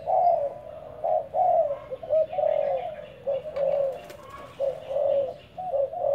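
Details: Spotted dove decoy bird in training, cooing in a long series of low, rounded notes at an uneven pace, about one every second, with faint background noise.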